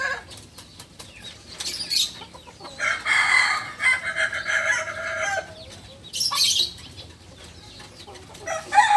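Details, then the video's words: Learning Balenggek rooster of Solok, West Sumatra, gives a rough, buzzy crow of nearly three seconds with dense overtones, framed by bursts of clatter and scraping noise. "Ayam kukuak balenggek PEMULA ayam asli solok sumbar"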